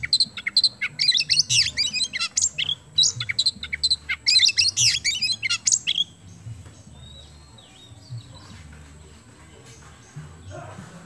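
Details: Oriental magpie-robin, kemben variety, singing energetically as a lure to set other birds singing; dense bursts of varied high chirps and twittering for about six seconds, then near silence with faint low hum.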